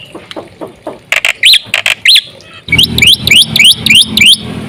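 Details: Black-winged myna singing as a lure for other mynas: scattered soft notes, then loud rising whistled chirps, then a steady run of sharp upswept chirps over a low background hum.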